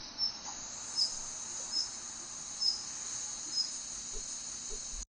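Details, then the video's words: A female Daurian redstart gives its commonly heard call: five short, thin, high notes, roughly one a second, over a steady, shrill insect drone. "친숙한 딱새 암컷 울음소리 The commonly heard sound of a female Daurian redstart"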